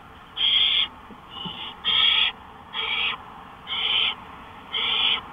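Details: Owl on a porch at 1:53 AM on May 5, 2013, giving harsh, breathy hissing screeches, six bursts of about half a second each with short gaps, a couple of them softer and shorter.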